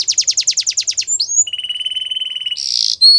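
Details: Belgian canary in song for training, a fast pulsed trill of falling notes, then a lower steady rattling tour held over a second, a brief harsh buzzy burst and a final high whistle.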